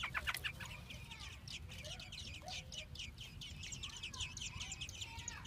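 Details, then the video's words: Nestling American robins in Minnesota calling as female and male adults feed them. A loud burst of high chirps comes first, then a continuous stream of rapid, thin, high squeaks over a low hum. "Baby Robins in Nest Being Fed"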